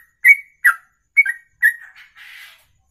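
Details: Songbird in long ropelan song, held in one breath over two minutes: four clear whistled slurring notes spaced about half a second apart, then a softer trailing warble and a brief hissy buzz.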